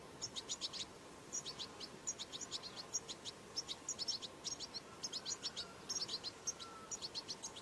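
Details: Chicks of European goldfinch, called çipil saka, begging: rapid high thin chirps in short bursts of three to five, repeated steadily through the clip over a faint low hum.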